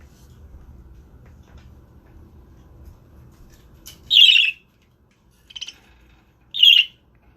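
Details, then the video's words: Male budgerigar, a pet father bird guarding eggs and keeping others away, gives two loud harsh squawks spaced about two seconds apart after a stretch of quiet room hum, with a faint short chirp between them. "Dad dont want me close to the eggs"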